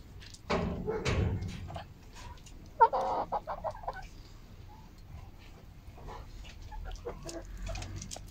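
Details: Hens recorded on Monday, 10 October 2022, a day with eight eggs; opens with a loud, harsh, drawn-out squawk, followed by a sharp single cluck and a string of quick, clipped clucks that fade into quieter scratching noises.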